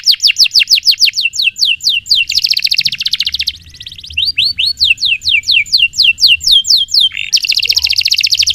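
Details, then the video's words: Canary in long energetic song for training magpie robins: rapid descending whistled notes, a dense buzzy trill, more sweeping notes, and a closing buzzy roll. "Kenari Gacor Panjang utk Masteran Murai Batu Full Isian, Canary Singing"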